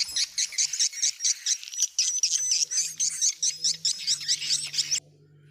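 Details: Swiftlets give rapid, high, chirping twitters in quick bursts, about two per second, for five seconds, over a faint low hum; calls like this may signal breeding condition, play or seeking a mate.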